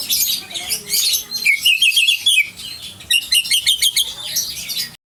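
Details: Song of a white-rumped shama from Aceh, a rich, busy stream of high chirps, warbles and clipped whistles repeated in quick bursts, ending abruptly in silence.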